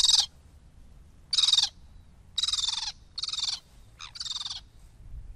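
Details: Sabine's gull uttering a series of five harsh, rasping, tern-like grating calls, each roughly a third of a second long, spaced irregularly about a second apart, against a quiet background.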